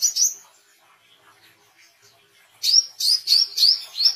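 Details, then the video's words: Oriental white-eye, recorded singing hard for training and luring: a brief high note, a quiet stretch of faint twitters, then five loud, clipped, downslurred chirps in rapid series. "WICEH GACOR SUARA BESET COCOK UNTUK MASTERAN DAN PANCINGAN WICEH BAHAN"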